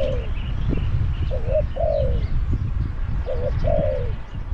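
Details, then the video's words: At Song Phi Nong a caged Spotted dove used to lure wild doves gives clear paired coos, a brief lead note then a longer falling note, twice in four seconds, with faint high chirps. "ต่อนกเขาใหญ่ EP302ลุ้นนกป่าที่สองพี่น้อง"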